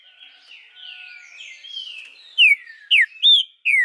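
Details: A captive male green-winged saltator (trinca-ferro), recorded 2 August 2020 in Araruna, Paraná, gives a softer warbled run of phrases and then loud, clear, downward-slurred whistled notes, about four in the last two seconds.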